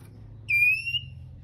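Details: Male Oriental magpie-robin giving a call meant to set other birds singing: a single clear, sustained whistle that climbs slightly in pitch and then fades quickly, against a quiet background.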